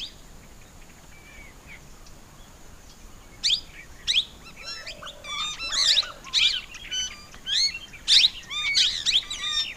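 Plum-headed parakeet giving bursts of shrill, squeaky high notes in quick series after a quiet start, over a faint steady insect-like hiss.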